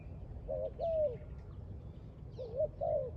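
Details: Spotted dove, apparently near a trap, giving two soft cooing phrases around mid pitch, each a short rising note then a longer falling one, separated by about a second and a half over low rumbling background noise.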